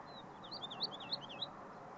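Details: Woodlark recorded at la Puebla de Valverde giving a quick run of high, wavering whistled notes, rising and falling in rapid succession, against steady low-pitched background noise.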